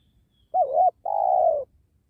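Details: Spotted dove of the 'penguku' calling style, heard while doves are being trapped next to a sacred tree. One clear coo: a brief warbling note, a short gap, then a sustained mellow hoot fading lower at the end.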